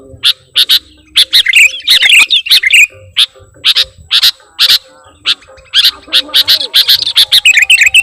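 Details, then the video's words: Sooty-headed bulbul lure recording for attracting birds: dense runs of sharp, high chirps, some bursts rapid and jumbled, others spaced singly, over a soft steady hum. "Suara Pikat Burung Kutilang Gacorr"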